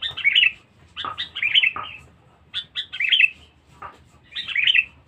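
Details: Loud, aggressive Sooty-headed bulbul used as a lure (pikat): rich, gurgling whistled phrases separated by short gaps, with a few sharp single chips between them and faint low background rumble.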